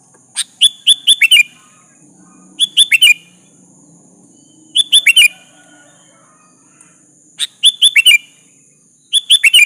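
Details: Sooty-headed bulbul song meant to draw an answer from a rival: four clear bubbly phrases, each a rapid run of five or six falling, liquid notes, spaced roughly every two and a half seconds.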